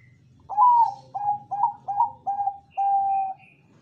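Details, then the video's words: Loud-voiced Bangkok zebra dove singing as a lure to make other doves reply: six mellow, slightly trilled cooing notes in a steady row, the last held longer and level. "perkutut Bangkok suara emas//ampuh untuk pancingan//suara besar"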